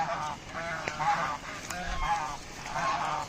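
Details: Domestic raj hash geese calling with rough, nasal honks repeated roughly once a second, each a short buzzy burst, plus a few sharp clicks and a low thump in the background.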